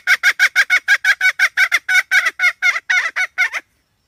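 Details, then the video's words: A hen repeats loud, coarse, honking notes about twice a second, the rhythm loosening slightly before the calling stops and silence follows. "suab poj qaib seev dib tuaj zoo heev"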